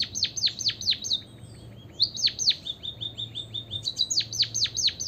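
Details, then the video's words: White-headed munia song played as a lure so other birds sing along: bursts of high, sharply down-slurred chirps alternate with a run of short, even, flat notes, with a faint low hum beneath. "pancingan emprit kaji biar gacor - suara pancingan burung pipit berkicau agar ikut bernyanyi"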